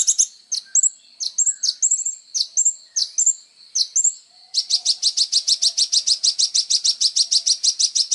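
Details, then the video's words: Lively kolibri ninja sunbird song, used to train other songbirds: high slurred chirps alternating with thin whistled notes, then a long, steady, fast trill of bright repeated notes lasting several seconds. "SUARA BURUNG KOLIBRI NINJA GACOR FULL TONJOLAN"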